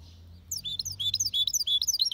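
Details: Goldfinch x canary hybrid delivering a powerful, clean song: a fast, continuous tumble of high, sweet twittering notes and quick slurred chirps, loud and bright, over a quiet low hum.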